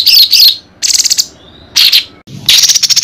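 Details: Short bursts of buzzy, twittering high notes from a white-rumped shama (murai batu) on a training recording for contest birds. The bursts are separated by brief gaps and end in a rapid chattering run.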